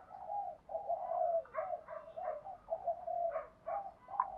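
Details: Spotted dove in the Thúc Đấu calling style, used to draw in wild doves. Low, soft coos run almost without a break in rolling, overlapping phrases, with brief higher notes rising above them. Faint background hiss throughout.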